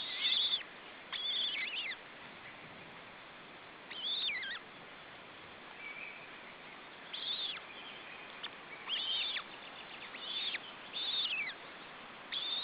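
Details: Female osprey feeding her three chicks in June 2012: bursts of high, shrill whistled notes with falling tails, about nine bursts spaced one to two seconds apart, over a steady hiss.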